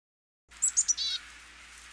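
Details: Black-capped chickadee (Poecile atricapillus), a feeder bird in Michigan, gives a short chick-a-dee call: three quick, high, thin notes followed by a lower, harsh buzzy note.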